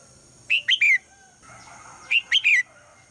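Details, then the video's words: Morning calls of a female red-whiskered bulbul urging the male to sing: two bright three-note phrases roughly 1.5 seconds apart, each a quick rising then falling whistled slur, with softer distant bird notes in between. "นกหัวจุก birds - นกตัวเมียร้องตอนเช้าเพื่อเรียกนกตัวผู้ให้ร้องเสียงดังฟังชัด"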